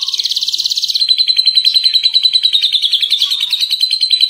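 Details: A young Atlantic canary delivers a clear-voiced, long rolling song (ngerol), used to prompt other canaries to sing. It is a fast, unbroken trill of rapidly repeated high notes that runs steadily for over four seconds.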